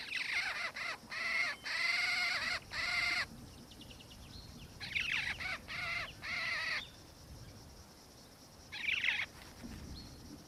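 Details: Black-faced cuckoo-shrike of subspecies melanops, in Victoria, Australia, December 2019, gives bursts of grating, purring churrs in two groups separated by a pause, then one short call near the end, with light ambient noise.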